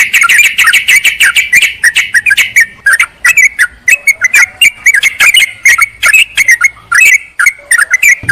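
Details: Lure audio of yellow-vented bulbuls calling a rival, meant to entice wild birds in woodland or gardens: long stream of rapid, harsh chattering and bubbly notes in quick irregular bursts, crowded and noisy throughout.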